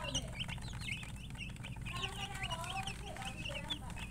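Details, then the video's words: Coloured chickens, murgi hens, chirping: a busy stream of short, high, rising peeps from several birds overlapping throughout, over a steady low rumbling hum. "silly chicken chirping sounds with murgi hen color chicken"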